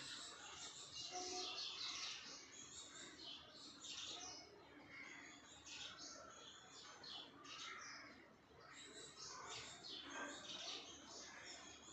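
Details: Hummingbird feeding at a flower and flying, giving thin, high, scratchy chips and twitters in quick runs throughout, with a faint soft hum beneath.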